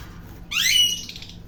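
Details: Parrot uttering one rising, strained squawk with rich overtones that swells and then tails off in a buzzy fade, against a faint low hum.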